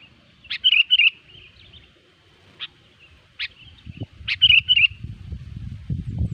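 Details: Lure recording of a sooty-headed bulbul for trapping: sharp clicks with two bursts of quick, bubbly, slurred whistles, then later low rumbling and handling noise under the song.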